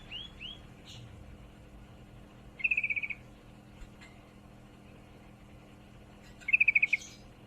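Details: Female sooty-headed bulbul calling a male while in heat: two loud chattering runs of about seven rapid high chips, several seconds apart, with a couple of curving whistled notes from another bird at the start and a low hum.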